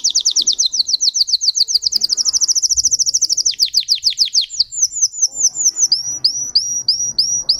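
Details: Song of a Russian singing canary: a long rapid rolling trill of high notes that shifts pitch midway, then slower separate upswept whistled notes repeated about twice a second.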